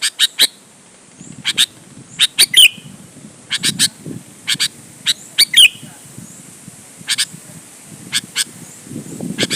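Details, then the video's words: Sooty-headed bulbul song meant to draw other bulbuls into answering: spaced sharp chirps and a few whistled downslurred phrases, irregularly repeated, with low murmuring background noise rising toward the end. "suara burung KUTILANG GACOR MENEKAN LAWAN 100% ampuh buat pancingan kutilang agar nyaut dan GACOR"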